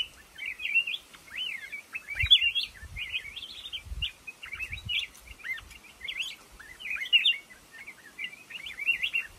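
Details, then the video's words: Black-crested bulbul singing in a lồ ô bamboo thicket: a steady stream of bright, warbled chirps and short slurred whistles, tumbling up and down in quick clustered phrases, with soft low thumps beneath. "tiếng chim hót trong bụi lồ ô"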